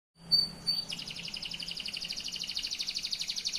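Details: Yellow AF canary singing actively in a long rolling trill. A few high whistled notes lead into a fast, even, buzzy trill of about twelve pulses per second that holds steady for nearly three seconds.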